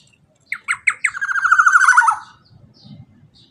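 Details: Teler-style black-naped oriole song played to get other birds singing: four spaced, rising notes lead into a rapid buzzy chatter that swells, then falls off after about two seconds, leaving faint low rustling and a few soft chirps.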